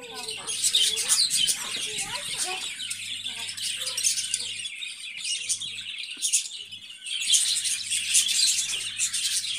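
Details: Busy chatter of budgerigars: overlapping high chirps and scratchy warbles with a few lower squeaky notes early on, easing briefly around seven seconds before building again.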